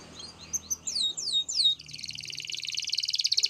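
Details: Canary song, quieter: a few loud downslurred whistles, then a dense, rapid buzzy trill that grows louder toward the end, over a soft background hiss and low hum.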